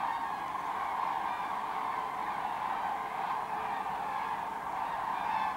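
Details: Common cranes coming in to roost at the Kvismaren wetland, part of a gathering of 24,000; steady, dense chorus of overlapping rolling calls with no other sounds standing out.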